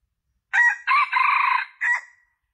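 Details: Junglefowl crow for luring males: a short first note, then a long harsh, steady phrase, closed by a quick falling end note, with no other sounds around it.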